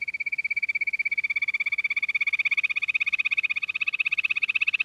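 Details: Quail producing a continuous high, buzzy trill of rapid, regular pulses lasting about five seconds, growing slightly louder toward the end.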